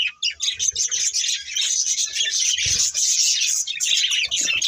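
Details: Budgerigar breeding pair chirping and warbling nonstop, a high, bubbling chatter of quick notes with small soft knocks below.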